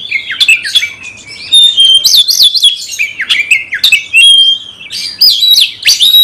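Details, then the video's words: Oriental magpie-robin singing loudly to provoke a fighting response: rich, varied whistled phrases sweeping up and down, with sharp clicks and abrupt accented notes between them. "Kacer gacor bongkar emosi dalam hitungan detik dijamin Kacer langsung tarung ngotot"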